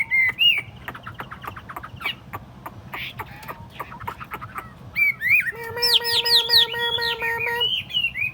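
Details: Tame caged Chinese hwamei, placed on a table, delivers repeated clicks and short whistles. These build to a loud passage of ringing high notes over a held nasal drone.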